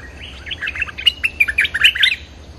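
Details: A bulbul calls to draw in wild birds, pouring out a dense, rapid jumble of warbled and chirped notes for over two seconds, rich and bubbly, with a low hum underneath.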